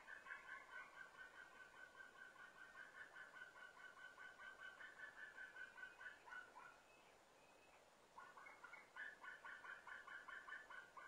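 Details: A white-tailed eagle chick begs in the early morning (06:53, 29 September 2017) at a nest on Smøla, Norway: a rapid string of high yelping notes, about two per second, pauses a second and resumes, while the displeased adults call.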